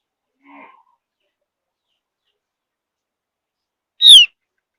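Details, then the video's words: Lure call of a Javan grey-throated white-eye, a high mountain forest bird said to prompt other birds to sing; a faint low chirp, then after a pause one loud, high, downslurred whistled note. "Kicau Tipis, Pancingan Opior Jawa || Opior Jawa Memang Jagonya Bikin Burung Lain Ikut Nyaut~"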